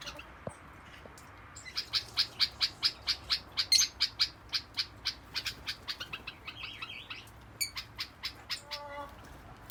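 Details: Yellow-collared lovebirds (Agapornis personatus) kept in an outdoor aviary give a rapid run of sharp, high chirps, roughly two per second and fairly uneven, ending in a rougher, buzzier burst.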